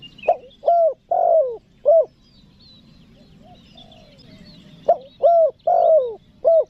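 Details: Spotted dove calling to attract wild birds, giving two complete four-note coo phrases about four seconds apart. Each has a quick first note, a mid-length coo, a long falling coo and a brief last note, over faint chirps.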